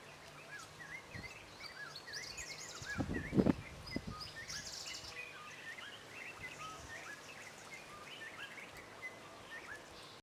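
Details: White-browed robin-chat (Cossypha heuglini), song.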